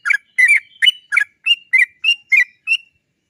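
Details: Sooty-headed bulbul used as a lure: nine crisp chirping notes at a brisk, slightly slowing pace, ending with a clearer whistled note.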